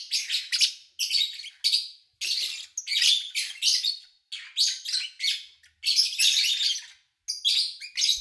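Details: Lovebirds chirping, recorded during three days in August 2019 with little engine noise: almost continuous harsh, scratchy chatter in fast clustered notes, broken by only a few short pauses across eight seconds.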